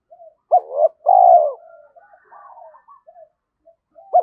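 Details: Decoy spotted dove trained daily to challenge wild males, giving one complete coo phrase, a short rough note and then a loud sustained mellow coo, followed by soft trailing notes and the start of another phrase.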